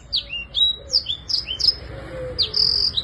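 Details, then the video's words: Black-throated canary in lively full song, used as therapy for birds that have stopped singing: bright, high sweeping chirps and slurred whistles delivered in quick succession, with a brief buzzy trill near the end. "BLACKTHROAT GACOR UNTUK TERAPI MACET BUNYI"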